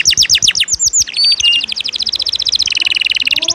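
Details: Canary 'ngejos' filler song recorded as tutor material: loud descending whistled notes, then a quickening buzzy trill that drops slightly in pitch into a dense, fast chattering roll, about four notes per second and faster.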